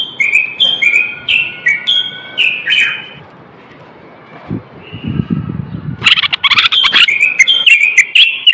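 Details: Male Common bulbul of Moroccan stock, in song meant to spur males into singing and prepare females for mating: a string of loud fluty whistled phrases stepping up and down, a quiet pause with low rumble, then rapid busy warbling.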